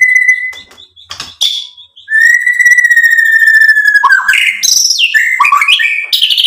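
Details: White-rumped shama song used to provoke other birds into singing: long clear whistles near mid pitch, then quick varied notes and slurred rising and falling phrases, loud and close.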